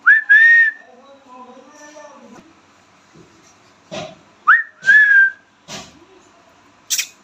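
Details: Talking pet Indian ringneck parrot producing a bright whistled two-note phrase, softer murmured sounds, a similar whistled phrase midway, and short harsh clicks and a high squeak toward the end.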